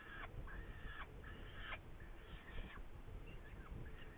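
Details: Saker falcon recorded in Hungary on 8 May 2019, giving long, strained, harmonic wailing notes that break off sharply, followed by shorter fainter calls, with a constant low rumble beneath.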